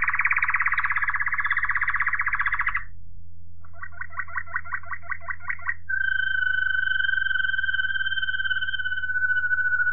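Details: Song of a Waterslager Malinois canary, 2018: a loud, rapid buzzy roll lasting three seconds, a pause, then evenly pulsed bubbling notes, followed by a long, smooth, steady low whistle; constant hum beneath.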